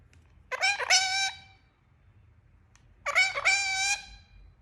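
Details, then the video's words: Talking parrot giving two loud, rough, harmonic calls with a stuttering start, about two and a half seconds apart, over a faint low background hum. "Talking Parrot Making Sound"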